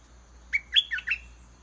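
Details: Caged red-whiskered bulbul used as a decoy, singing again and again until a wild bird descends to fight. One crisp phrase of four whistled notes, the first two climbing and the last pair sliding and warbling.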